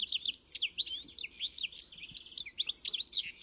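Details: Goldfinch singing a continuous, hurried run of bright liquid twitters and chirps, densely packed with no pauses, all high-pitched and clear over a quiet background.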